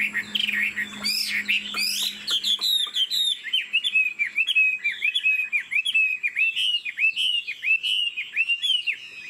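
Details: Caged Chinese Hwamei, said to be 90% pure-bred, singing while nodding its head and showing off its wings in a lion-dance display. Rapid, varied whistled phrases with repeated looping notes pour out in a dense, continuous run.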